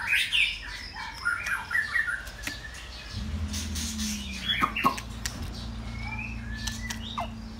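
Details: A captive male white-rumped shama sings rich, varied whistled phrases and chirps, busiest in the first two seconds, then sparser, with a steady low mechanical hum and a few clicks behind.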